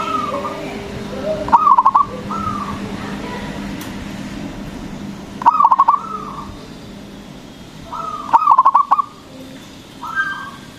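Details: Local zebra dove with a loud voice, singing to stimulate other doves. Three bursts of rapid, stuttering coos, each with quieter drawn notes near it, repeated every three to four seconds over a low hum.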